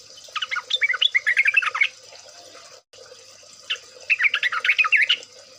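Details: Trucukan, the yellow-vented bulbul, in a lure recording for prompting birds to sing, taken from an ombyokan chorus. Two lively bursts of rapid, bubbly, chattering notes, each about one and a half seconds long, are separated by a short pause, with a constant high hiss behind.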